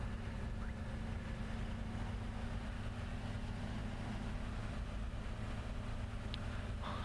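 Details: A steady low engine rumble with wind noise, and no animal voices.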